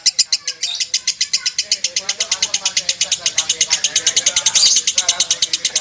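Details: Lovebird of the konslet singing style, a long unbroken string of rapid high chattering notes, about eight per second, steady and even, with a faint murmur beneath.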